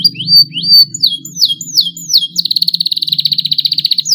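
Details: Young canary learning to sing and starting long rolls: a few sharp rising then falling chirps, then a fast even trill of rapid pulses lasting nearly two seconds, over a faint low hum.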